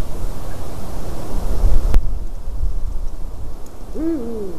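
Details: Eurasian eagle-owl sitting in a white-tailed eagle's nest, 12 March 2019, 18:26; after a stretch of low rumble and a sharp click, one short hoarse call swells up and slides down near the end.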